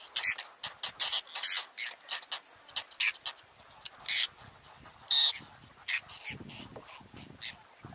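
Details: Whiskered terns at a nesting colony on water chestnut and lotus beds, Astrakhan State Nature Reserve, Russia, 22 July 2017, birds tending nests holding clutches; harsh rasping calls repeated irregularly, about a dozen bursts overlapping from several birds.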